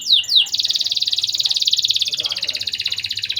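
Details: Canary used as a lure song to stimulate breeding urge in young canaries; an opening pair of quick descending sweeps followed by a long, fast, buzzy trill held high and steady, with faint indoor background.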